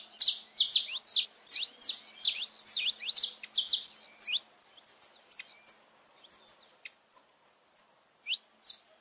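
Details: Saffron finch singing, meant to fire up pet birds: a fast run of loud buzzy high downslurred notes for four seconds, then sparse thin chirps and clicks.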